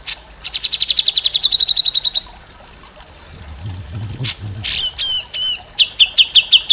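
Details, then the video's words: Grey-cheeked bulbul singing, recorded as a master for teaching songbirds. It opens with a rapid even string of high ringing notes. A low rumbling follows, then sharp falling whistled notes and a brisk series of short chips. "MASTERAN CUCAK JENGGOT"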